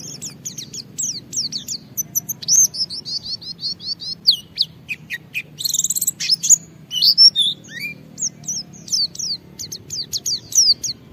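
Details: White-eye in full 'ngalas' song, used as a lure to set other white-eyes singing. Rapid, high, thin chirps and down-slurred whistles pour out in dense bursts, with scratchy trills toward the middle. A faint low hum sits underneath.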